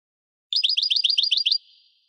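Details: Brief burst from a pet European goldfinch: about ten quick rising chirps repeated evenly over one second, bright and liquid, then a faint thin tone fading away.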